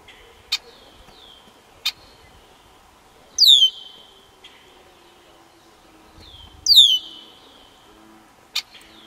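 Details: Blackbirds in the Basha Kill Wetlands, June 6, 2011. Two loud phrases, each a sharp descending note running into a buzzy trill, about three seconds apart. Scattered short clicks and faint calls are heard between them.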